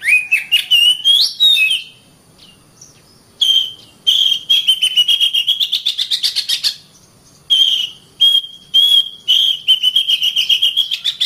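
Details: Oriental magpie-robin master song for training caged birds, best used in morning or afternoon: bursts of rapid sharp chirps and whistled notes around a steady high tone, broken by short pauses, clean with no other sounds.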